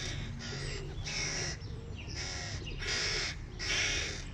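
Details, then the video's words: Hungry hooded crow young beg noisily as their father arrives with food: around six coarse, rasping calls in a rapid, uneven series, low background rumble throughout. "Голодные птенцы вороны устроили разнос отцу / Hungry babies create chaos When they see dad with food"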